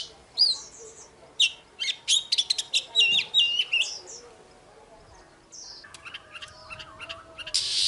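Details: Caged oriental magpie-robin in morning competitive song: loud whistled notes and a rapid burst of chirps, then a quieter pause followed by softer warbled phrases and a rising hiss at the close.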